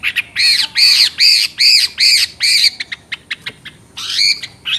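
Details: Chinese hwamei (Garrulax canorus) sings loud, rich, slurred whistles, about six in quick succession, then sharp chips before another full phrase.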